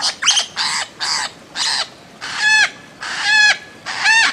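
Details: Bird-of-paradise giving harsh, nasal calls, about seven in just over four seconds. The later notes carry a ringing, layered tone with steady spacing.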